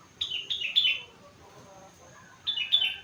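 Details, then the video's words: Four-month-old sooty-headed bulbul singing an imitation-filled song of rengganis phrases: two bursts of bright whistled notes, each a quick descending run of three or four slurred notes, separated by a quiet pause. "Burung Kutilang gacor isi rengganis cucak wilis"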